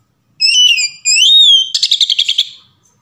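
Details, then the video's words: Oriental magpie-robin singing a varied song meant as a lure to make another bird sing: two long clear whistles, the second sliding upward, then a fast rattling trill of about nine rapid notes. "SUARA KACER NGEPLONG VARIASI | PANCINGAN KACER"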